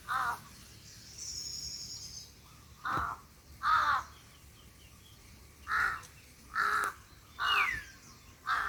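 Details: Birds and crows heard from beneath shade trees at a small rice-field hut on a sunny, breezy day: harsh, hoarse caws, seven or eight in about nine seconds at uneven intervals, with a faint higher thin call between them.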